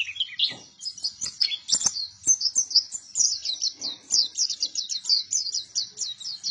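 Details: A pleci buktoni white-eye singing hard: varied high chirping that builds into a fast run of evenly repeated sharp, bright notes, about several per second, toward the end.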